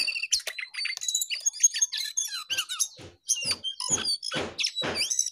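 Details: Jongkangan in lively, energetic song: fast, thin, high chirps and trills packed into a continuous stream, with several broader, harsher notes and a few soft knocks toward the end.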